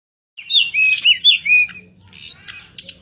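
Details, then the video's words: Mountain robin song: a jumble of quick, high, varied chirps and short slurred whistles, dense at first and then breaking into scattered notes. "Petroica Bivittata " Birds Chirping"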